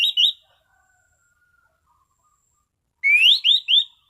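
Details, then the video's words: Orange-sided thrush singing in a relaxed, clear 'ngeplong' style: a short pair of bright whistled notes, a long silence, then three rising, slurred whistles in quick succession. No other sounds. "Burung Anis Cendana Ngeplong Santai"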